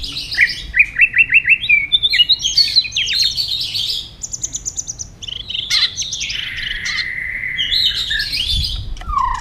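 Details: White-rumped shama singing competitively: a rapid series of clear repeated notes, then rich varied whistled phrases with sweeps, trills and a sustained mid-pitched whistle, loud and continuous over a faint low hum.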